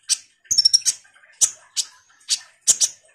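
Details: Common iora in full 'ngobra' chattering song, used as a lure to draw responses from kolibri ninja birds: sharp, very high chips in short clusters, one fast ringing trill near the start, separated by brief silent gaps.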